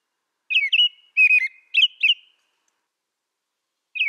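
American robin singing short, clear caroling phrases of warbled whistles, three quick phrases about half a second apart, then a pause before the next starts.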